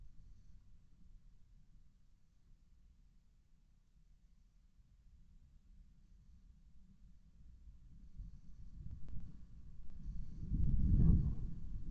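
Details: Only a low, steady rumble is heard, swelling into a louder muffled thumping near the end, with no calls.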